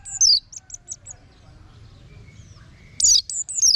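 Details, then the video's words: Orange-headed thrush in song, played as a tutor recording: a high descending whistled slur, then four quick repeated short notes, a long pause with faint background hum, and a loud buzzy sweeping phrase at the end. "Guru Vokal ANIS MERAH Agar Selalu Ikut Nyaut Ngeplong di Rumah"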